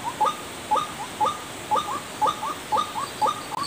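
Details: White-breasted waterhen lure call used to attract birds: a short, rising, clipped note repeated steadily about twice a second, each note paired with a quick follow-up, over a faint background hiss.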